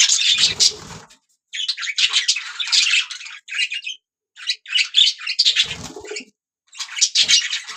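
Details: Budgerigars chirping and singing in bursts of about one to two seconds: scratchy, twittering high warbles separated by short silences, with soft low knocks in places.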